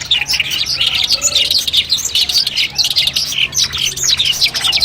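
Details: Long-tailed shrike training song used before a competition: a dense, busy stream of high chirps, trills and squeaky twittering notes that overlap continuously, with a low steady hum beneath.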